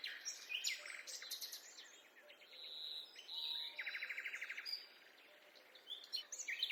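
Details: Many birds singing in a forest during a walk: bright high twitters and fast trills overlap, a steady whistled tone near the middle, then a rapid pulsed rattle, with soft low notes repeating beneath.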